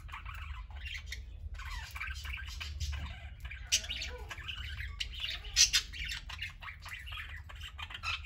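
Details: Group of pet parakeets, elders and infants, playing, eating and lounging; continuous warbled chattering with scratchy squawks and sharp chirps layered over one another, above a steady low hum.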